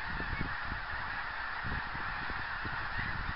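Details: Geese calling in flight on 24 January 2010, a steady stream of short low honks overlapping one another, with a constant broad hiss behind them.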